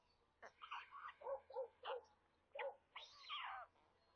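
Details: Stork nestlings near Kaluga in central Russia being fed on 27 May at 13:57; a short run of separate nasal mewing notes, each under half a second, ending in a longer rasping wail.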